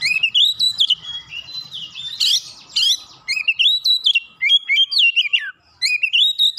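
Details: Stirred up by another magpie-robin, an oriental magpie-robin pours out loud, varied whistled phrases with buzzy inserts and falling slurs, nearly continuous, in an open-beaked showcase of its fill-in repertoire.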